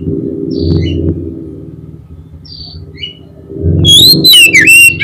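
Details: Oriental magpie-robin singing as a lure to provoke a rival into answering: after a low droning hum and a few faint high notes, a loud burst of rich whistles and sliding trills breaks in at the end.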